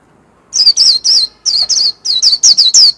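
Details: Warbling white-eye pouring out líu song, about ten high, clear whistles that each slide down, grouped in threes and fours with brief breaks, loud against a silent background.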